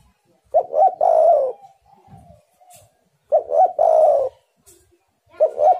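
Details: Repeated cooing of a spotted dove to lure wild birds: three phrases roughly every two and a half seconds, each a short note, a rising hoot and a sustained falling coo, with soft trailing notes between.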